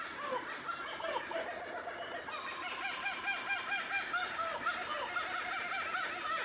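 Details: Laughing Kookaburra giving its iconic laugh: overlapping rising-and-falling hooted notes repeated rapidly in a lively, chuckling chorus over a steady hiss of background noise.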